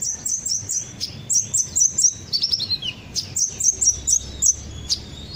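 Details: Sunbird ('kolibri ninja') lure recording: rapid clusters of high, sharp chirps and a brief lower twitter, repeated in short bursts.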